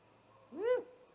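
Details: Night attack by a great horned owl on a great gray owl at its nest, 30 March 2018, picked up by a live camera: one short, rising, wailing upslur with bright harmonics and a faint lingering tone after.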